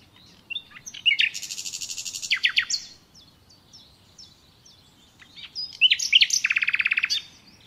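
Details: Natural nightingale song: scattered short whistles leading into a rapid, even, buzzy rattle of repeated notes, a pause with soft single chips, then another whistled run ending in a fast pulsing trill.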